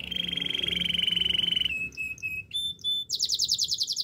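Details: Domestic canary singing for canary training: a long, even, rapid trill, then a few short steady whistled notes, ending in a very fast, high, buzzy roll.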